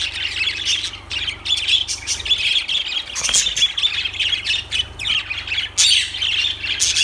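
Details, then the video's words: Dense, continuous lovebird chatter of sharp, high squeaks and chirps filling seven seconds, loud and unbroken, with a constant low hum in the background. "Lovebirds Sounds Birds Singing Birds Sounds"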